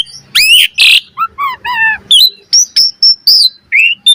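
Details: Varied song of an Asian pied starling, played as master song to train other birds: a harsh buzzy note, a descending series of three slurred whistles, then bright sharp upward-flicking notes.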